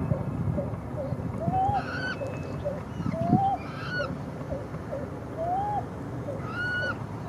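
Pied-billed Grebe giving a steady run of short, hollow cuk notes, several each second, broken by louder rising slurred whoops. A low rumble of wind or water sits underneath.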